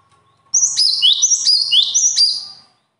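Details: Talented bird sings a single rapid string of high, piercing chirps lasting about two seconds, accompanied by a steady faint electrical tone in the background.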